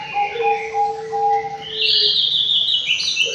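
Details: Aviary white-rumped shama giving long steady low whistles that overlap, then a loud, bright high rising phrase that wavers and trails off into further high notes.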